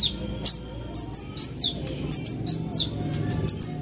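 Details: Van Hasselt's sunbird, quick lure sound: high thin whistles and downward-then-upward slurs in short pairs, spaced under a second apart, with faint hum below.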